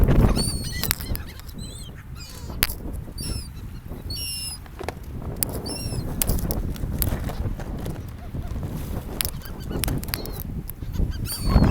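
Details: Several seagulls on a beach beside the sea call in short, bent, squealing notes scattered through the recording, with constant rumbling waves and wind underneath and sharp clicks.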